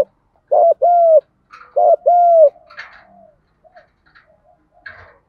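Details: Spotted dove call to lure and stimulate other doves: two loud double coos, a short note then a longer hoot, followed by faint distant coos and soft chirps.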